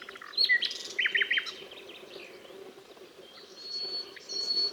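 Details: Nightingale song phrase of sharp chirps and a quick run of three or four looping, slurred notes, followed by a pause and thin, high drawn-out whistles over a constant low hum.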